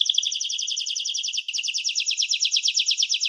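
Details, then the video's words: Canary giving a rapid, buzzy rolling trill of high repeated notes, briefly faltering before resuming with a steadier pulse. "Canary-Canario Singing 2017(Kanarya Ötümü)"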